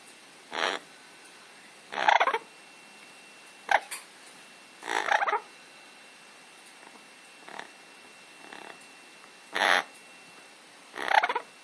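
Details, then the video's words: Amazon parrot kept as a pet gives softer scattered noises: brief rough chattering squawks and a few clicks, spaced one to two seconds apart, while a person encourages it in Dutch. "Amazon making noises"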